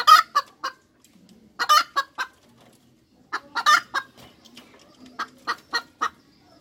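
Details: Hen cackle, repeated clusters of sharp, harsh clucks rising to a loud accented note, several bursts spread across the recording with brief pauses between.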